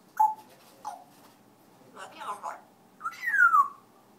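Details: African grey parrot singing indoors: short clear whistles and speech-like syllables separated by pauses, ending with a longer falling whistle glide.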